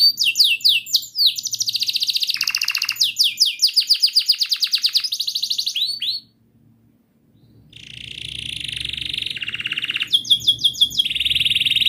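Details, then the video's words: Canary with long rolling song, used as therapy for a canary that has stopped singing: six seconds of rapid chirps and trills, a brief pause, then a steady high trill and buzzy rolled phrases with faint background hum. "Kenari Gacor Panjang Cuit cuit Ngerol,TERAPI AMPUH Kenari MACET, Pancingan Kenari Paud Belajar Bunyi"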